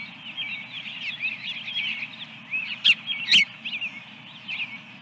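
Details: Osprey at a nest with eggs on 24 April 2022 gives quick strings of shrill, piping chirps, repeated about twice a second, with two loud knocks midway and a constant low background drone.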